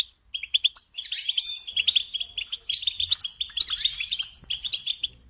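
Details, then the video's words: Singing European goldfinch kept as a songbird, delivering a lively stream of high, clipped twitters mixed with a sweeping buzzy trill and sharp sparkling notes, phrases following one another almost without pause. "Supporting and Singing Along with Goldfinches"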